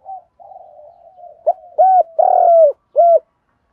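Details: Morning luring call of a decoy spotted dove: soft low murmuring leads into a phrase of hollow coos, a short note, a fuller coo, a long rough drawn-out coo and a final clipped coo.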